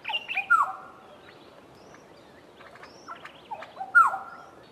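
A Black-headed Oriole gives two liquid, whistled phrases about three seconds apart. Each phrase slides down to a mellow held note, with faint chirps from other birds between them.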